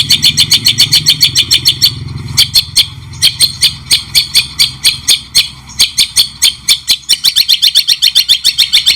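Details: White-rumped shama in a songbird training recording, clear voice with pauses: long runs of quick, harsh chattering notes, about three to four a second, broken by short gaps, over a low background hum early on.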